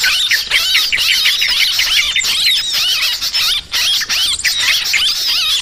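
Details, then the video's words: Noisy sooty-headed bulbul chatter for luring birds: many overlapping squealing, wavering notes in quick bursts, a tangled nonstop chorus with short pauses near the middle and later. "Suara Trucukan Pikat Burung ribut"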